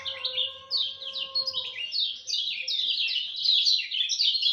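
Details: Dawn song of a lemon-bellied white-eye: an unbroken stream of quick, high, slurred chirps, with steady whistled tones in the background during the first two seconds.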